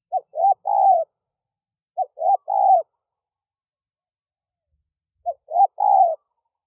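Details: Call for luring wild spotted doves: three cooing phrases, the first two a second apart and the third after a longer pause, each a clipped note, a rising note and a long, slightly falling coo.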